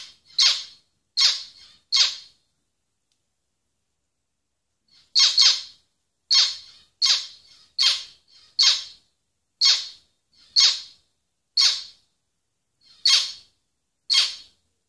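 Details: Zebra finch giving loud, nasal, buzzy single notes: three quick calls, a pause of about three seconds, then ten more spaced roughly every second, each short and harsh with a bright, broad tone.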